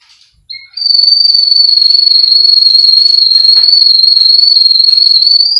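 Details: Song of a Russian canary belonging to a Miami, Florida breeder, recorded for training: a short whistle leads into a long, rapid, evenly pulsed rolling trill held steady at one pitch for about five seconds.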